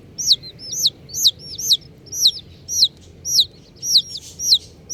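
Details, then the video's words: Cute baby chicks of several colours give loud, piercing peeps, each a quick falling whistle, often doubled, repeating almost twice per second in a steady rhythm. "Colourful Baby Chickens | Cutie Chicks Chirping Sounds"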